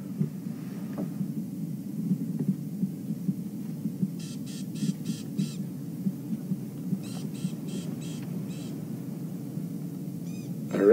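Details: Rattling cisticola (Cisticola chiniana) on a sunrise safari drive gives harsh, dry alarm notes in two quick runs of about five, alarming at a nearby leopard, over a steady low engine hum.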